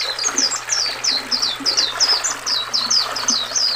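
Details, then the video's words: Oriental white-eye, recorded for training and calming caged songbirds, with river sound: quick high chirps sliding downward, repeated nearly three per second, over constant trickling, rushing stream water. "Suara burung pleci"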